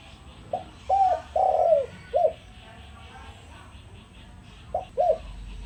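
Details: Decoy spotted dove cooing to attract other doves: one full phrase of soft hooting coos, short notes around a longer slurred note, then a pause and the start of another phrase, over low background noise.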